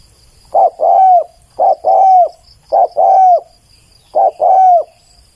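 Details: Spotted dove delivering four evenly spaced phrases, each a short coo then a longer, drawn-out falling coo, clear and loud with little background sound.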